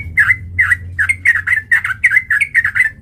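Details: Sooty-headed bulbul singing as a fighting lure meant to provoke another bird: a lively run of short, bubbly, slurred whistled notes, about two per half second, over a low steady hum.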